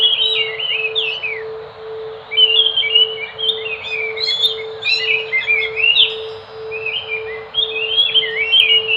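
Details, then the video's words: Enggano thrush (Geokichla leucolaema) from Enggano island, west of Bengkulu, Sumatra, singing a long rambling sequence of quick slurred and twisting whistles in clustered phrases, with a brief lull early on, accompanied by a steady low hum. "Anis nusa tenggara (anis macan )suara asli bikin ngotot bunyi"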